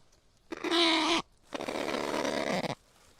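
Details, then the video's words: Kakapo (Strigops habroptilus) giving a short harsh squawk, a rich harmonic note lasting under a second, followed by a longer, noisier rasping squawk of about a second. "Burung Kakapo(strigops habroptilus)"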